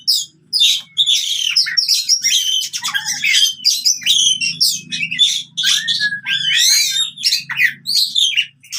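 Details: Oriental magpie-robin fighting song meant to prompt silent birds to sing again; rapid continuous medley of piercing whistles, rasping chatter and trilled notes, briefly pausing near the start, low faint hum underneath.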